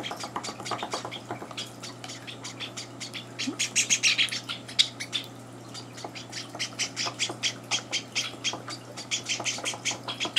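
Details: Indoor Java sparrow chicks, on day three in their new home, beg during breakfast as two older birds barge in. Quick, high, harsh chirps repeat many times, swelling into a louder patch midway, with a steady hum below.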